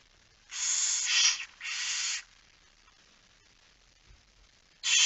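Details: Two joined, wheezing hisses from a barn owl at the nest during a night feeding on 10 September 2019, then a long silence before another hiss begins at the end.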